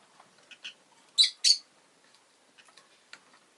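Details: Pet rosy-faced lovebird giving two loud, sharp, high chirps in quick succession amid softer scattered ticks and small chirps.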